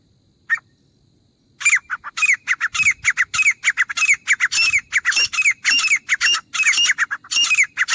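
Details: Grey francolin, used as a hunting call, giving loud harsh squawking notes. One brief note comes first, then after a pause a rapid run of repeated ringing calls that grows louder and steadier toward the end.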